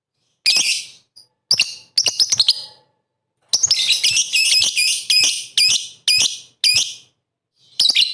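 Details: Lovebird chatter played to provoke rival lovebirds into singing: groups of shrill high chirps, a pause, then a long busy run of sharp piercing notes in quick succession.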